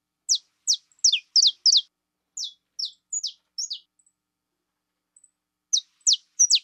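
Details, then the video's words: Saffron finch, called fibra, delivering quick sharp chips that fall steeply, first in a tight run of five, then in spaced pairs. After a pause with faint ticks, three final loud notes follow. There are no other noises. "CANÁRIO DA TERRA FIBRA"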